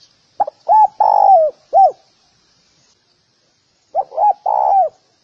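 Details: Spotted dove calling, a recording meant for training doves: two phrases, each of short quick coos leading into a longer, drawn-out coo that dips at its end, separated by a two-second pause, clean and quiet background.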